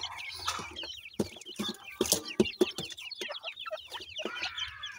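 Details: Several grey francolin chicks feeding, giving a dense chorus of short, high, slurred peeps in quick overlapping series, mixed with sharp clicking and tapping sounds throughout.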